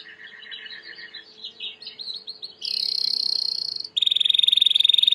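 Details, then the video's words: Clean training song of a white Timbrado canary: soft warbled notes lead into a bright high rolled trill, then a pause and an even faster, piercing metallic roll held steadily. "Chant de Canari timbrado / the wonderful sounds of canary bird chirping / canario timbrado cantando"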